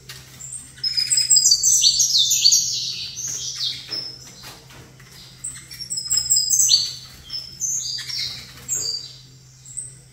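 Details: Saffron finch kept in a cage and facing another bird, delivering bursts of fast, high, chattering trills and chips separated by short quiet gaps, over a persistent low hum.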